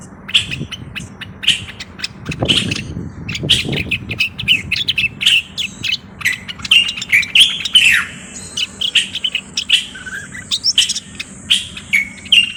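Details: Common bulbul from Morocco in lengthy song, a faint low rumble early on, then a steady stream of clear whistled chirps and sliding notes repeated at a brisk, uneven pace.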